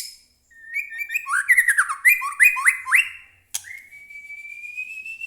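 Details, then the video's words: Captive white-rumped shama, singing actively and agitated, used as a lure to provoke other shamas into singing. It gives a rich burst of rapid, slurred whistles and rolling notes, a brief pause, then one long, clear, slowly rising whistle. "murai batu gacor AMPUH buat pancingan murai batu agar bunyi JADIKAN burung murai gacor EMOSI NYAUT"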